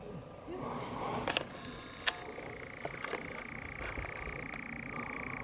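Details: European nightjars courting at dusk: a long, even, purring churr starts partway through and runs steadily to the end, with several sharp clicks and snaps before it.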